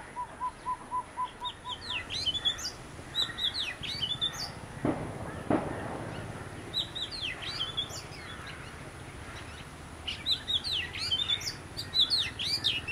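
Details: Sweet, high whistled phrases with sharp upslurs and downslurs come in short bursts from one of a visiting pair of Oriental magpie-robins. Low evenly spaced notes and a couple of dull thuds are heard early on.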